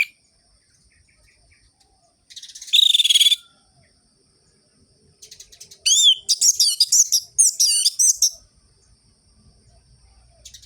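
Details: Orange-headed thrush singing sharp, rhythmic ngerol-ngeplong phrases meant to stimulate other thrushes: a harsh, buzzy burst, a quiet gap, then a string of loud, looping whistled notes over faint background noise.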